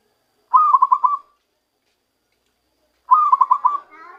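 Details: Zebra dove (perkutut) caught by luring, beginning to give its natural voice: two separate rolling coo phrases, each a fast run of about five pulsed, mid-pitched notes, with a gap of nearly two seconds between them; quiet background.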